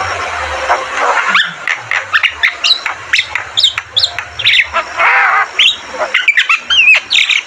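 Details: Javan myna in energetic full song, a series of short sharp whistles, chirps and harsh rasping notes that follow each other rapidly at varied pitches, over a low steady background hum.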